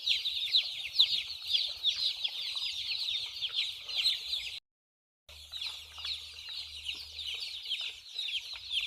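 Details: Small white chicks chirp in a thick high chorus of brief downward peeps; a short silent gap interrupts midway before the peeping resumes over a low steady hum.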